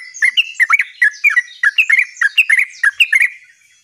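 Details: Lively gacor ngerol song from a sooty-headed bulbul: a rapid series of rich, bubbling, slurred notes in pairs and triplets, rolling on for over three seconds before fading out.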